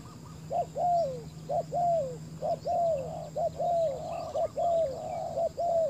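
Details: Spotted dove used as a decoy to lure wild doves on open ground. Paired cooing: a short note, then a longer note falling at the end, repeated about once a second. A steady low hum runs underneath.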